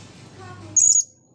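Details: Blue-crowned hanging parrot, just dried off after bathing, gives one brief, very high, shrill squeaky call with a low hum and faint background tones before it.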